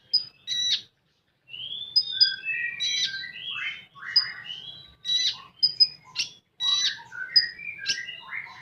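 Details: Common iora in full tembakan style: a lively mix of rising and falling whistled slurs, sharp high pips and harsh chattered bursts, after an opening pause.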